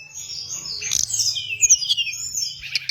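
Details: Hill blue flycatcher song meant to lure and train birds: dense, continuous high warbling with fast twisting whistles and a faint low hum beneath.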